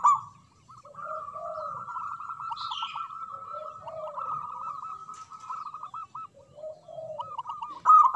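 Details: Local zebra dove singing strongly from a high perch: a sustained rolling trill of fast, evenly spaced coos lasting several seconds, low murmuring notes beneath, one high chirp from another bird, and a sharp click at the end.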